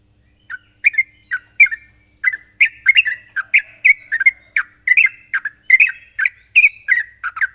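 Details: Sooty-headed bulbul calling out to a rival in lively form: repeated short warbled chirps, single and doubled, running steadily for over seven seconds, with a continuous high hiss.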